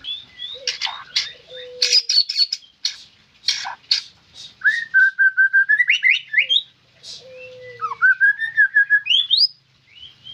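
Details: Loud, close white-rumped shama song mixing harsh bursts, long steady whistles and rising trilled runs, with pauses between phrases and a quiet background.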